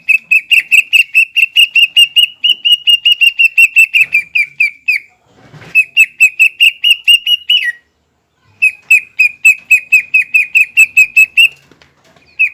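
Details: Greater green leafbird song used to provoke rival leafbirds into an emotional, aroused state. Long, rapid trills of near-identical whistled notes come in several bursts, broken by short pauses and a brief rustle of wings.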